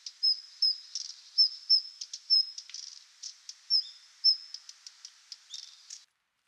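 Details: A Daurian redstart (Phoenicurus auroreus), met on a walk, calls with thin, high whistled notes about twice a second mixed with dry clicking ticks over six seconds.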